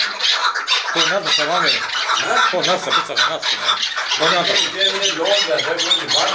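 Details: Five chukar partridges squabbling and fighting together, giving harsh, rasping squawks and chattering calls that overlap continuously in arched, rising-and-falling bursts, with no pauses throughout.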